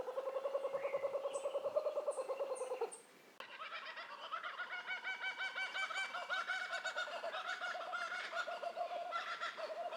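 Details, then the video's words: Several laughing kookaburras break into their rolling, raucous laugh: rapid hooting chuckles that swell into a dense, overlapping cackle. "Laughing Kookaburra"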